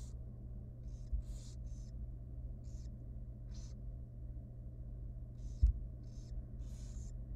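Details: Tiny young barn owl chick in a wild nest box calling at feeding time, giving scattered rasping hiss bursts, some doubled, with a constant low hum and one soft knock.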